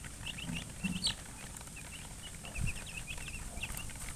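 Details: Baby chicks chirping more softly, scattered high peeps through the recording, broken by a few low thumps and bumps.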